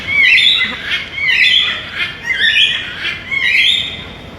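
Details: Macaw parrots calling in loud, harsh, raspy squawks repeated roughly once a second, several overlapping bursts throughout with no other clear sounds.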